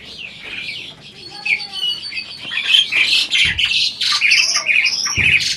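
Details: Captive adult Asian pied starling appearing to talk back, imitating speech: a dense run of harsh squawks, chatters and whistled notes, mostly high-pitched, with a few speech-like syllables heard just before.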